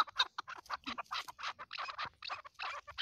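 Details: Chukar partridges calling together, giving a choppy stream of short, raspy clucks in uneven bursts with brief gaps between them.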